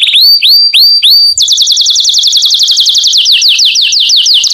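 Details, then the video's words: Canary tutor song used to teach young canaries to sing: a few rising whistled notes, then a fast, even trill of repeated downward-sweeping notes around four times a second, slowing into broader sweeps near the end. "تعليم فراخ كناري على تغريد"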